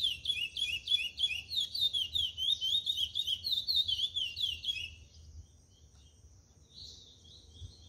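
A chestnut-bellied seed finch sings a fast, sweet warble of high, slurred notes, about four per second, for five seconds; one faint note follows after a pause.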